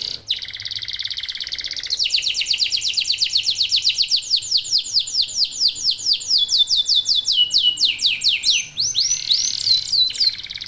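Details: Local domestic canary in full song, used as a lure to get other canaries singing: a long run of rapid, high, downward-sweeping notes in fast trills that change tempo and phrase several times, with no break.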